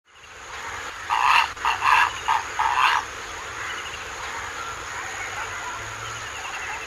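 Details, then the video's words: Purple heron giving a burst of four loud, harsh, rasping croaks in about two seconds, followed by quieter background hiss and a steady high-pitched whine. "Purple heron call"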